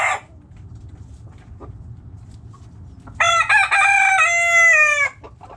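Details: Backyard chickens: the tail of one crow, quiet faint clucks, then a rooster's loud, clear harmonic crow of about two seconds, ending abruptly.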